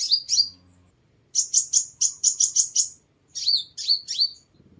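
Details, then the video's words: High-pitched sunbird song played to attract birds: short, sharp, twittering notes in fast runs, a steady series of six to seven even chips, then more downslurred twitters, in quiet surroundings. "Tiếng Chim Hút Mật 7 Màu"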